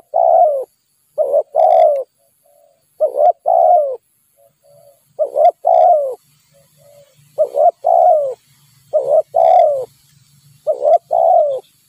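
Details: A wild Spotted dove, lured with a decoy bird, gives soft, low coos in short paired phrases, repeated every couple of seconds, with quiet pauses between.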